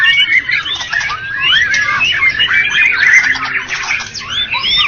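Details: Contest-winning white-rumped shama, Medan and Java: rich, unbroken torrent of looping whistles, sharp slurs and rasping notes at steady loudness.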